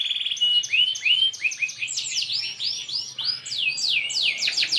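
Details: Brightly coloured AF canary in full, vigorous song: a rapid continuous stream of high sweeping chirps and trills, many short downward-curving notes repeated in quick succession with hardly a pause.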